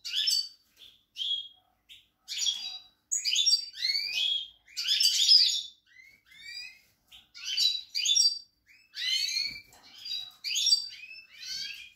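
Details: European goldfinch song recorded on 28 March 2020: bursts of bright, varied twittering and liquid notes, separated by short gaps, with buzzy and tinkling elements repeated throughout.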